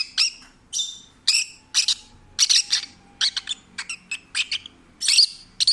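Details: Adopted former stray peach-faced lovebird kept as a pet, singing while relaxed and happy: a fast series of about fourteen sharp, high, buzzy chirps, some doubled, in under six seconds.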